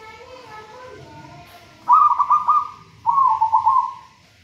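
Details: Vigorous singing from a local wild-caught zebra dove taken from a raja banana plant nest. Two quick rippling coo phrases follow faint sliding whistles.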